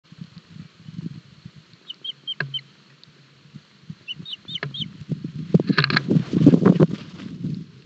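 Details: Osprey chicks at a nest in Barlinek Forest, Poland, 7 July 2022, struggling with a large breakfast fish. High thin piping calls come in short bursts, over loud low rustling and tearing from the nest.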